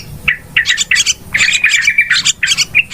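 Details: Yellow-vented bulbuls giving noisy calls to lure birds for trapping: rough, squawking chatter in clustered bursts, with a short level whistle running through the middle.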